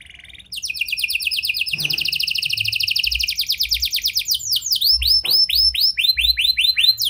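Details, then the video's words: Canary performing prenjak- and lovebird-style song to prompt silent canaries to sing: a long, loud, dense rattling trill of very rapid notes gives way to a series of clear swooping whistles. "Pancingan Kenari Gacor Cengkok Prenjak Lovebird! Ampuh Buat Memancing Kenari Macet Agar Gacor"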